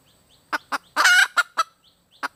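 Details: Female red junglefowl calling for a mate: a few short clucking notes, then a longer harsh cackling burst near one second, followed by more clipped clucks spaced irregularly over two seconds.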